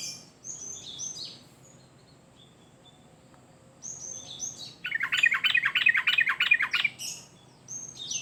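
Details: Sooty-headed bulbul, a lively singing bird kept for use as a lure and song tutor for other birds, giving scattered high thin notes, then a dense burst of bubbly, chattering phrases for about two seconds before returning to sparse high calls.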